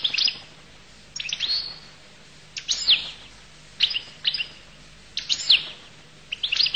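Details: Goldfinch of the Collo type singing in short, spaced bursts about every 1.5 seconds: quick high twittering notes with sharp descending slurs, quiet pauses between phrases.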